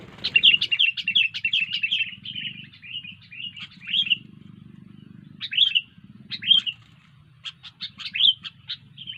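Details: A sooty-headed bulbul sings steadily with long rapid twittering runs, then short slurred phrases and clipped chips in quick succession, over a constant low background drone.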